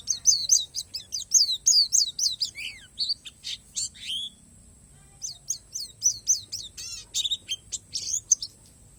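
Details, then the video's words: Oriental white-eye of the Borneo Palas type singing natural-fill song, with two bursts of rapid, thin, high chirps and downward-sweeping notes separated by a brief quiet gap. "SUARA PLECI PALAS BORNEO"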